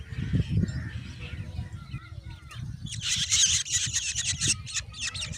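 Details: Growing Black Drongo chicks at the nest demanding food: after a quieter start, a burst of harsh, rapid, hissing-raspy begging notes repeated in quick succession over a low rumble of wind or handling noise.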